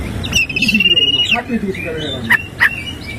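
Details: Oriental magpie-robin in morning song: a long, steady, buzzy trill, then lower warbled notes and two sharp clicks, over noticeable low-pitched background noise.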